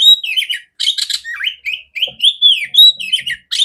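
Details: Loud, clear song of a female oriental magpie-robin, played to train other magpie-robins: dense varied phrases mixing harsh bursts with slurred whistles that rise and fall, continuing without a break.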